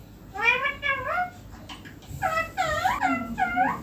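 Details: Pet green Indian ringneck parakeet sitting on a neem tree, calling in short nasal upward-sweeping squawks, a quick series of three, a pause, then a denser run of four or five harsher calls.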